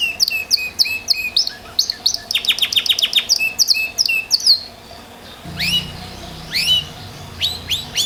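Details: Belgian Bossu canary singing vigorously: high, bright whistled notes and rapid repeated chips, then a fast run of evenly spaced descending notes near the middle, followed by sparser rising upswept whistles over a faint low hum.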